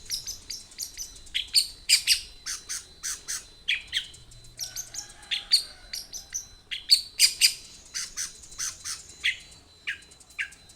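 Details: Long-tailed shrike (cendet) singing its varied song, used as a tutor recording to prompt other shrikes to sing: sharp high chips and short squeaky notes in quick bursts, a steady thin tone running beneath, with quiet background.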